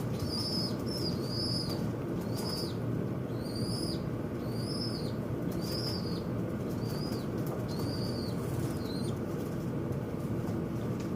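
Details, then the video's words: Birds fighting at a window produce a run of about a dozen high arched chirps, often in close pairs, punctuated by sharp taps, with a continuous low background hum. "The birds in the window are fighting"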